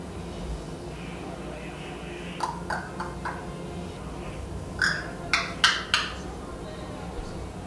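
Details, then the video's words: Male eclectus parrot kept as a foster pet indoors gives a run of harsh, raspy, crow-like squawks. Short notes come in quick uneven clusters and grow louder toward the end, over faint room noise. "Eclectus Parrot Speaking/Making Noises!"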